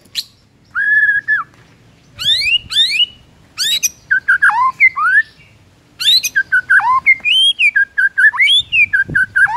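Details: White-rumped shama singing in the morning to rouse rival birds: a held whistled note, steep rising scratchy sweeps, then a long chain of fluty, bouncing whistles.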